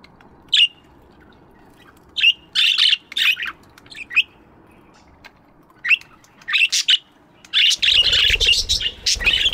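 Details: Budgerigars in a morning aviary give scattered sharp chirps that build into a dense, raspy chattering chorus near the end, mixed with a rougher broadband noise burst.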